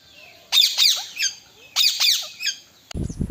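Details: Parrots, three of them on branches, calling: two matching bouts of harsh grating squawks, each three screechy notes, about a second and a half apart, ending with a short low thud.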